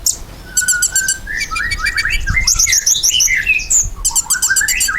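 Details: Ruby-cheeked sunbird in full song as a lure to prompt caged birds to answer: an even whistle, then tumbling chirps climbing higher, interleaved with dry rapid clicking bursts and a shrill squeak.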